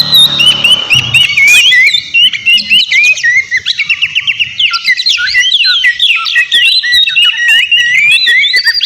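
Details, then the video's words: Loud White-rumped shama song used as a lure for an opposing bird; brief low rumble at the start, then rapid repeated whistled trills and looping slurs, fast and unbroken. "Terapi suara KACER GACOR Ribut buat PANCINGAN KACER Lawan Langsung NYAUT"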